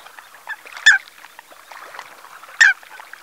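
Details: Eurasian coot (Fulica atra) at the salt pans of Mongofre, Menorca, 6 February 2020, 9:00 am: two loud, short, nasal calls nearly two seconds apart over faint bird chatter and water.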